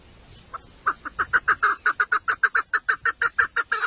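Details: Domestic female chukar partridge, a village 'mari' decoy hen used to lure males: quiet start, then a fast, steady train of about eighteen sharp clucking notes, growing louder, roughly three each second.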